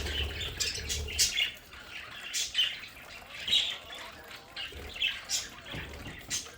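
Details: Pet budgerigars chatter in their indoor play area at home, mixing short squawks, bright chirps and warbling notes in an irregular run, some louder bursts standing out over soft background noise.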